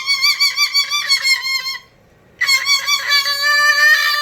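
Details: Pet cockatoo indoors giving its trained whistle, described as the most annoying sound in the world: rapid wavering, buzzy warbles, a brief silence, then a longer, richer trilling burst.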